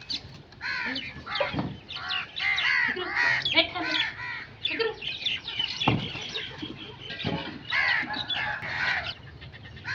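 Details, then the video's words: Several crows cawing at once in a dense, overlapping chorus of rasping calls, with a few low thuds mixed in. "Crow sound effects"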